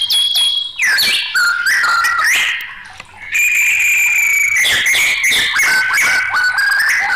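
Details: Excited white-rumped shama pouring out loud, varied song, with ringing whistles, sliding notes and a sustained clear whistle in the middle, delivered with barely a break.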